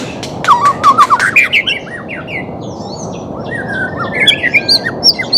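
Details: White-rumped shama during training of a reluctant singer: an opening run of quick loud rising notes, then gentler whistled slurs and high chirps over a hissing background.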